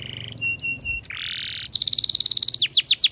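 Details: Fast canary song with dense phrasing, used for training other canaries: short flat tones, a buzzy rising trill, a very rapid rattling roll of sharp notes, then a few loud sweeping slurs.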